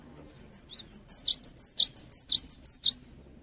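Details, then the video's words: High, bright cinereous tit song used to get other tits singing: a rising then steady series of V-shaped chirps, roughly a dozen notes over two and a half seconds, faint low hum beneath. "GELATIK BATU GACOR | Bikin Gelatik Lain Cepat Terangsang Untuk Ikutan Bunyi"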